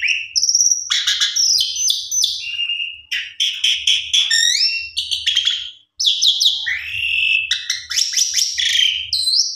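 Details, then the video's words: Lively jalak suren, or Javan pied starling, pouring out a complete, varied song used as a lure for sulking birds: dense scratchy chatter mixed with rising and falling whistles, one brief gap, and a faint low hum throughout. "Jalak Suren PUNDUNG !! Coba Putar 1 Kali PANCINGAN Jalak Suren Suara ISTIMEWA Gacor Vareasi Komplit"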